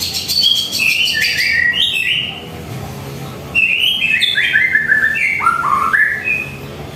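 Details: At home in the morning, a white-rumped shama delivers varied song for a master recording: stepped whistled phrases rising and dropping in pitch, short bursts separated by brief pauses, over steady high background noise.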